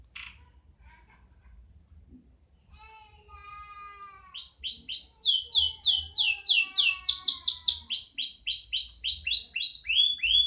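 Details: Canary in a cage starts quietly with soft notes, then builds into a loud sequence of sweeping downward slurred syllables repeated several times a second.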